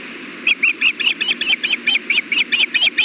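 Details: At the Hellgate osprey nest on 6.4.16, 4:00 pm, the male brings fish and feeds the female. One continuous string of about fourteen high, clipped whistled chirps, roughly five per second, over steady hum.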